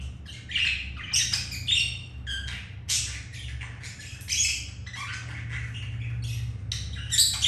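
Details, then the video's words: Captive budgies mating, a male with a female after another hen turned him away; harsh squawks and raspy chirps in bursts with brief pauses, constant low hum in the background. "Budgies mating"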